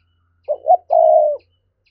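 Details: Single cooing phrase from a spotted dove in the 'gáy thúc' style meant to excite wild doves: two quick low hooting notes, then one sustained, steady, gently falling coo, in near silence.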